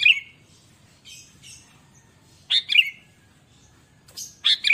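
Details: Sooty-headed bulbul singing eagerly as a lure and tutor for captive birds: rich, bubbling whistled phrases repeated about every two seconds, with softer chatter between them.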